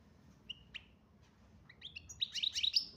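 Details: Algerian chardonneret major goldfinch: a few isolated high whistled chips, then an accelerating cascade of bright twittering notes building louder toward the end.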